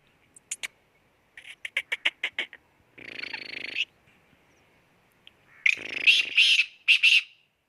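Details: Black francolin (kala teetar) calling in excitement: a harsh, grating phrase of four or five loud rasping notes near the end, preceded by a run of short dry clicks and a brief noisy rushing burst.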